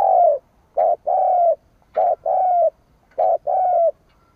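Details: Spotted dove used as a decoy to stir up rivals, cooing briskly: clipped short notes alternating with longer falling coos, about three phrases in quick succession with little background sound.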